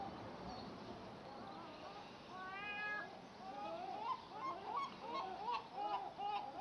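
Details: Gulls calling, a jumble of overlapping mewing and yelping cries with wavering, rising-falling notes that grow louder and more frequent toward the end over a constant background rumble.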